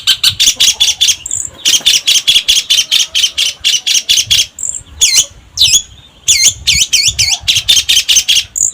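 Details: Long-tailed shrike delivering a rapid series of harsh, clipped chattering notes, about four per second, broken by looping, up-and-down high whistled phrases in the middle.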